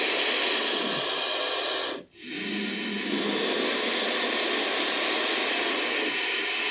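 A turkey vulture gives a long, harsh, breathy hiss that breaks off briefly near two seconds, then resumes just as steadily.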